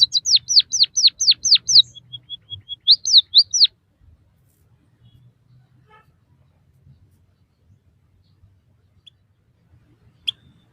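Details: Bondol haji, or white-headed munia, singing on a training recording for captive birds. Six steeply falling whistles lead into a thin level tone and three more falling whistles, then long quiet with one lone chip.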